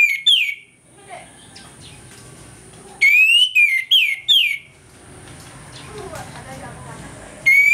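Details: Orange-headed thrush in the morning giving its loud open 'ngeplong' song, a lure to make it aggressive; clear slurred whistles in short clusters, rising then dropping, repeated after quiet gaps.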